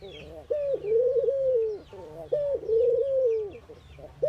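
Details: Ring-necked dove in India during morning activity, cooing: low, smooth mellow coos, each a short rise then a long level drawn-out note, repeated about every two seconds, with faint higher chirps of other birds behind.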